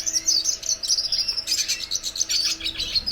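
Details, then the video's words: Red siskin (Venezuelan cardenalito) in song: bright, high chattering notes with a sustained thin whistled note about a second in, then rapid twittering phrases. A low steady hum is in the background. "Cardenalito de Venezuela cantando!!"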